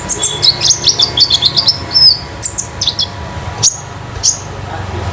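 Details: Home-kept caged Konin singing a metallic, loose, spotted song used to tutor and lure other birds. A rapid, chattering stream of high chirps and short whistled slurs runs for about two seconds. A few spaced sharp notes follow.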